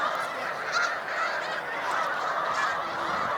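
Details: Short burst of steady, overlapping honks from great flocks of Snow Geese stopping on Cayuga Lake, New York, during spring migration on 20 March 2021, a few clearer individual calls rising above the chorus.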